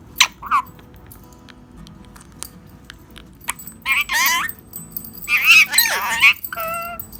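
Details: Tame talking parrots calling out to wake the owner's brother for Namaz prayer: a few short early notes, then loud, wavering, harmonic squawks and speech-like phrases in bursts through the second half, over a low steady hum.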